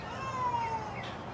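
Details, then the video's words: Indian peafowl, a dancing peacock at the Statue of Unity jungle safari, gives a single drawn-out, slightly falling wail, cat-like in tone and lasting under a second, over a steady background hiss. "Beautiful Peacock Dance & Sound"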